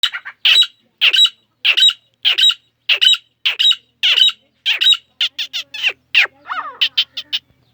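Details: Grey francolin calling in jungle in Pakistan: loud, harsh, squawking notes repeated roughly every half second, each a rasping burst, ending in a quicker run of shorter clipped notes; no other clear sounds.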